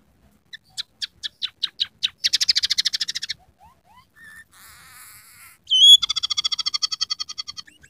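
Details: Scaly-breasted munia singing with canary, sparrow and red siskin fill: accelerating sharp chips run into a harsh trill, then soft slurred and buzzy notes, a loud whistle and another long, rattling canary-like trill.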